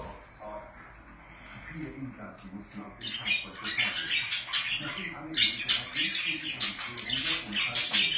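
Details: Pet budgerigars chattering indoors: after a quiet, murmuring start, dense high scratchy warbles and sharp chirps build up and run almost continuously through the second half.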